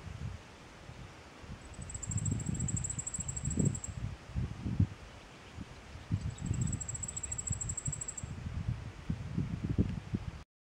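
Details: Eurasian wryneck (Jynx torquilla) fledglings give two thin, very high, steady hissing begging calls, each about two seconds long, over low rustling and bumping noises.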